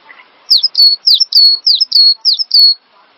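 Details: Cinereous tit from a songbird-training master recording: loud, slightly harsh high whistled phrases, each with a sharp clicky onset and a falling slur, repeated unevenly about eight times over two seconds.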